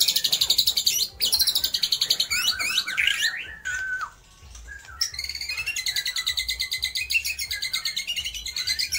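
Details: White-rumped shama mimicking lovebird, kapas tembak and pijantung gunung: long runs of high rapid repeated buzzy notes, broken by sweeping whistles and a brief pause.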